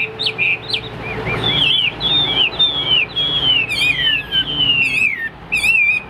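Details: Hwamei from Vietnam, a caged display and fighting bird, delivering varied, high whistled phrases. There are slurred notes, long descending glides and quick warbled trills over six seconds, with a steady low hum underneath.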